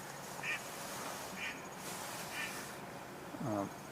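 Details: A mallard flying overhead, heard but not seen on July 23, 2021, gives a single low, harsh quack near the end. Three brief higher chirps about a second apart come before it, over a steady background hiss.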